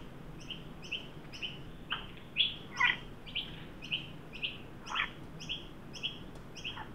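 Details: During a 43 °C Sydney heat wave on 9 Dec 2023, an adult magpie leads a juvenile Australian magpie to a new birdbath. Short rasping calls are scattered across the clip, with a steady two-tone chirp repeating roughly twice a second behind them.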